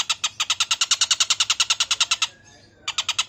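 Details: Stork-billed kingfisher (Pelargopsis capensis) giving its harsh call: a fast, rasping chatter of about twenty notes in two seconds, a brief pause, then it starts again.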